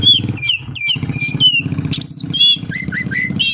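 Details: Oriental magpie-robin song packed with kapas tembak mimicry: short high whistled slurs, upward sweeps and brief twittering notes in quick succession, with a constant low mechanical drone beneath.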